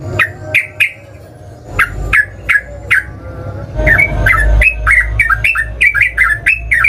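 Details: Yellow-vented bulbul (trucukan) lure sound to provoke singing: repeated short sharp chip notes, scattered at first and then coming faster and denser, with a low background rumble.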